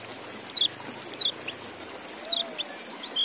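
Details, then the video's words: Sparse, sharp, high chirps from a white-eye, given singly or in pairs roughly every second, over soft background hiss. "Relaksasi Suara Kecial"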